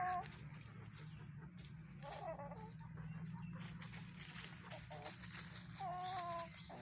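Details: A rooster that its owner says has a throat problem gives short, hoarse, strained calls: three brief rough bursts a couple of seconds apart over a steady background hiss.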